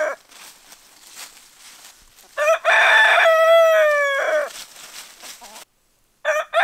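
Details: A rooster crows loudly as a wake-up call over a noisy background. One crow rises out of the noise and holds a long note before fading. After a brief silence, another crow begins.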